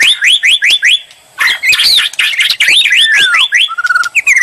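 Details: White-rumped shama bait song meant to draw an answer: a series of upward-sweeping whistles, then dense warbled phrases ending in a long falling slur and a steady trilled note.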